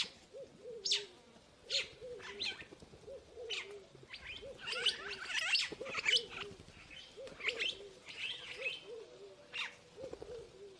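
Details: Purple glossy starling giving a dense run of scratchy, buzzy squeals and chattering notes, backed by a rhythmic low cooing repeated roughly every second.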